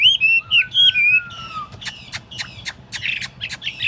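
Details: Tame caged Chinese hwamei in a portable cage set on a table, described as flawless, sings loud clear whistled phrases that slide up and down, then a lower drawn-out whistle, ending in a run of sharp dry clicks.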